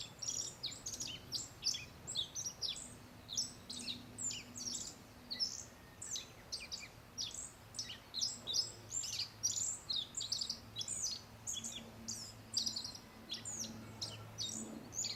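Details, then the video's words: Black-faced bunting perched about 3 m away at Settsu Gorge, northern Osaka, Japan: thin, sharp, high 'tsip' notes in quick, uneven runs, several each second, over a faint low hum. "アオジ(Black-faced bunting)の鳴き声"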